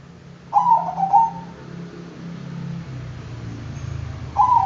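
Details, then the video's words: Bangkok zebra dove song: a vibrating, trilled coo lasting around a second, followed by a gap of steady low hum before the next phrase starts at the very end. "Bikin Kutut Bangkok Ikut Manggung DENGAN VIDEO INI,Pasti GACOR NYAUT dan NGAYER"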